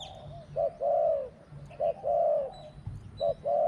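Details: Spotted dove (Spilopelia chinensis) cooing: a short note followed by a longer, drawn-out low coo, the phrase repeated three times over a faint background murmur.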